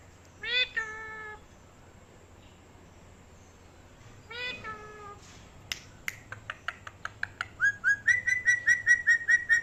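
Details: Pet parrot talking: two separate drawn-out nasal syllables, a burst of snapping clicks, then a fast run of short repeated voiced notes building in loudness.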